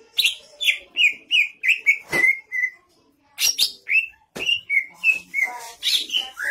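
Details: Greater green leafbird (Chloropsis sonnerati) singing a fast run of loud, slurred whistles, about three per second, with sharp chips between phrases and a brief pause midway.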